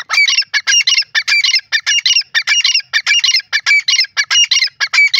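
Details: Grey francolin, known locally as teetar or gora teetar, calling loudly in a fast series of harsh, ringing notes, about a hundred a minute, with no other sounds heard.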